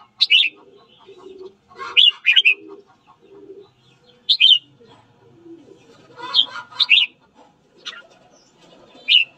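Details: Red-whiskered bulbul morning training song meant to stir up rivals; repeated short whistled phrases that slide downward, with low cooing notes and soft chatter from other caged birds in between.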